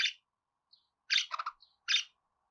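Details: Budgerigar calls used to get pet budgies singing: short bursts of buzzy chirps separated by silence, one burst with rapid warbled notes.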